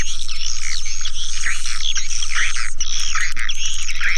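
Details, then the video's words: Swiftlet lure call for attracting swiftlets: a dense, continuous mass of high twittering chirps and squeaky whistles, with a steady, rapidly pulsing low hum underneath throughout. "Suara panggil burung walet"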